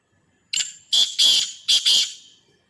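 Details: Harsh grating call of a Sindhi black francolin: a clipped opening note, then a pair of long rasping notes, a short pause and another rasping pair, five strident notes clearly heard over a silent background.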